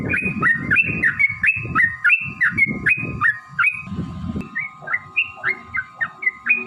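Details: Yellow-vented bulbul, lure song to make caged birds sing: bouncy string of short upward whistles, steady hum and low thumping noise beneath, notes thinning out toward the end.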